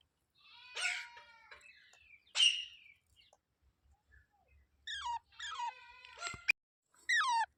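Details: Pet ringneck parrot in India giving raspy, harmonic squawks, then a series of sharp downward-swooping screeches in quick pairs, with a single click in the background.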